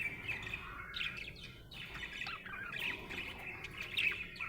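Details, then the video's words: Happy pet budgerigar chirping: a continuous warbling chatter of quick squeaky notes and scratchy trills, with short sharp clicks scattered throughout, fairly quiet against low background hiss. "Happy budgie chirping sound"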